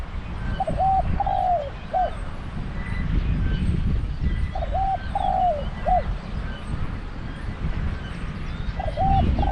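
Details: Repeated cooing phrases from a decoy spotted dove at a trap pen, roughly every four seconds: a doubled low coo, a drawn-out falling coo and a short tail note, over a steady low hum.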